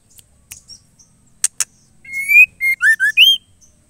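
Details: Female white-rumped shama calling to the male. Sharp clicks are followed by a clear whistled phrase: a long rising whistle, then several short, slurred notes that dip and rise again, ending on a higher upslurred note.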